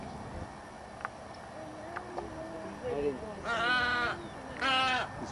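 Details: At Wakodahatchee Wetlands, Delray Beach, Florida, a Tricolored Heron gives two harsh, nasal, bleating calls like a goat, each about half a second long and a second apart, after quiet human voices.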